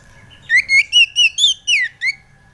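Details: Kacer (Oriental magpie-robin) lure song for prompting untrained birds: one clean phrase of seven loud, rising-then-falling whistled notes, evenly spaced, in an otherwise quiet setting.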